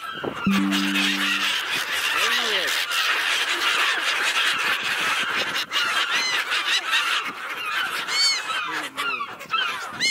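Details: Seagulls calling together, a dense chorus of overlapping harsh, rising and falling cries, with a short low steady tone near the start and a constant rushing background.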